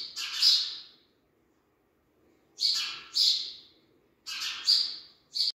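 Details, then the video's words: Three newborn sparrow chicks give harsh, raspy, hissing calls in bursts of about half a second, singly or in pairs, with quiet gaps between. "New Born Sparrow With Original Sound"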